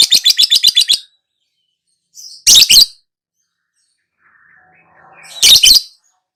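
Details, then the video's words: Lovebird opening with a rapid rattle of about eight scratchy notes, followed after a pause by two brief double squawks with soft background twittering between them. "KICAU TERAPI BURUNG LOVEBIRD LANGSUNG NGAKAK NGACOR NGEKEK"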